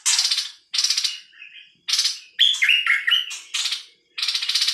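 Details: Bird voicing loud rasping, broadband bursts roughly every second, with quick warbled whistles and stepped slurred notes in between, forming a rapid, scratchy repeating pattern.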